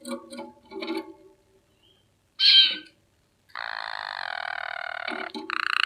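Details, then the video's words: Water canary in song. After some scattered soft notes and one sharp burst, it gives a sustained, rapid, bubbling trill of almost two seconds, then starts another roll. "water canary singing"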